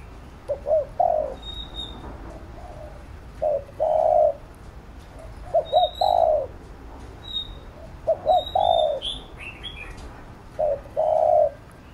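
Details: Spotted dove cooing, used to train and stir up a decoy bird: low hooted phrases of two short notes then a longer drawn coo, repeated about every two to three seconds, with faint high chirps of other birds.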